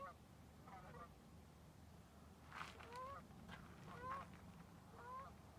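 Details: Geese flying south over Lake Ponderay, among mountains, give nasal, two-toned honks about once a second, some slurring upward, over a steady low rumble of wind.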